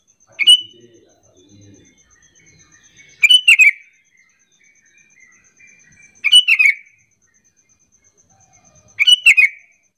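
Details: Sooty-headed bulbul lure call used to draw other bulbuls into answering: short bright chirping phrases about every three seconds, each a quick burst of two or three notes falling slightly, with silence between.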